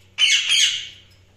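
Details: A single budgie gives one loud, harsh, high squawk lasting under a second, starting abruptly and fading away smoothly.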